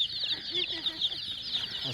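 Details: A quieter moment of many colourful hen chicks peeping together, an even, high, twittering stream of tiny chirps with no other sounds.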